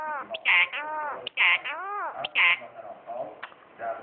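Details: A clever pet myna imitates human speech, repeating a bright, voice-like word such as "salam" (hello) about once a second with rising and falling inflections, while a person speaks in between.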